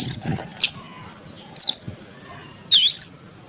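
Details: Oriental magpie-robin lure song for provoking other magpie-robins into singing: a few sparse, separated high notes, a bright looping whistle and sharp buzzy bursts with long pauses between them.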